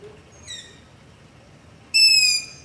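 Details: Nocturnal Long-eared owl begging near a house, recorded with a Zoom H5 and LOM Usi Pro microphones: a soft, thin descending squeak followed about 1.5 seconds later by a loud, piercing, sustained high whine.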